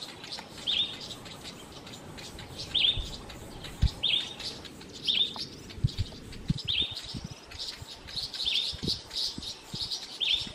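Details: Several garden birds scold a male boomslang, a tree snake longer than 1 m, raising the alarm for birds nearby; sharp high chirps recur about once a second over soft background rustle.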